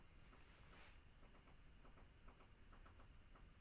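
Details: A woodpecker perched on a wooden shop pecks at it, about a dozen sharp, irregular knocks over three seconds, over a steady low rumble.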